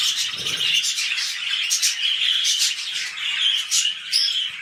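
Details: Mating pet budgerigars, early in a new breeding cycle: continuous scratchy, twittering warble with quick sharp chirps and squawky notes layered over one another, steady and fairly loud throughout.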